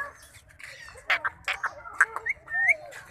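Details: Indian ringneck parrot imitating speech, giving short clipped harmonic syllables, abrupt bursts and rising whistled squeaks, then a longer bright upward-sliding note near the end; indoor background is quiet.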